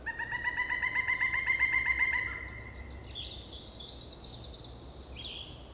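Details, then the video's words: Pileated Woodpecker in older spring forest at Peavy Arboretum and McDonald Forest, Coast Range foothills, giving its loud laugh-like call: a rapid series of about ten even, ringing notes over two seconds, followed by another bird's high trilling. "In older forests like these, you're often within earshot of the pileated woodpecker's loud, laugh-like call."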